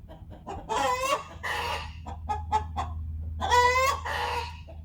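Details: Two backyard hens call to each other to announce that one has finished laying her egg. They give loud, drawn-out squawks with a rising edge, broken by short clucks, while a person speaks quietly over a low hum.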